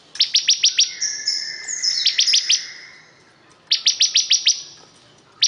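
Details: ['Bar-winged prinia giving two quick runs of about six piercing high notes, linked by a sliding whistled phrase and a softer trailing buzz.']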